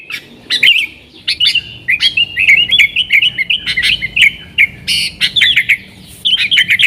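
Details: Yellow-vented bulbul in vigorous nggaruda-style song, played as a lure for wild sooty-headed bulbuls: fast, bubbly chattering phrases of short warbled notes, broken by brief pauses and sharp clicking ticks throughout.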